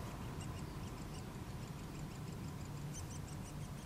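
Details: Fed chicks of Nuttall's woodpecker begging with soft, high, rapidly repeated squeaks that grow stronger toward the end, over a heavy low rumble.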